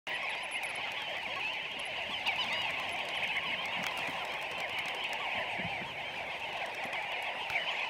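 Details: Namaqua sandgrouse, a large flock calling together in dry sand-dune country. A dense, continuous chatter of many overlapping nasal, bubbling notes, steady throughout without pauses, with no other clear sounds.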